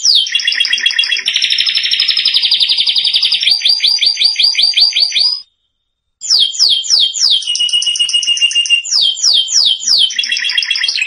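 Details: A canary pours out rolling trills and rapid chains of down-slurred notes in a lesson song for young canaries, with a second of silence midway before sharp swept phrases resume.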